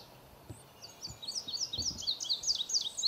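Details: Indigo buntings at the nest giving rapid, high, thin chirps that quicken and grow louder, several notes per second, with low rumbling background noise.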